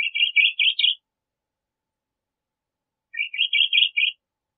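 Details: Crissal thrasher uttering two quick rattling series of buzzy notes about three seconds apart, each lasting around a second and climbing a little at the end; no background sounds.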